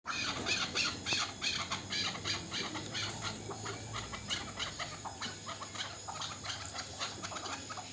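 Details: Local chukar partridge, a young bird from last year, giving a fast run of harsh, clucking chuk notes, about three per second, loud at first and then steadier and a little softer over eight seconds.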